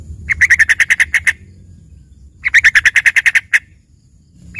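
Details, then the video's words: Yellow-vented bulbul singing a trained 'isian' song likened to a green leafbird: two rapid rattling bursts of about ten buzzy notes each, the second slightly longer, with a low hum behind. "dengerin suara trucukan isian ini serasa bagai punya burung cucak ijo gacor"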